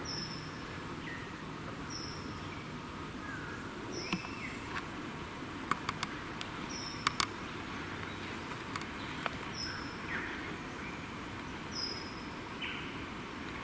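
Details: A lyrebird in the bush in Victoria, Australia, heard in the background near its display mounds on a windy day, gives clear, high, falling whistles about every two seconds, with a few lower calls and clicks over a steady hiss.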